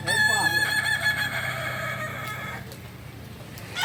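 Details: Kukuak balenggek rooster crowing during a practice contest at Panyakalan, Solok: one drawn-out, slowly fading crow with rippling syllables at the start, over a steady low hum and faint voices.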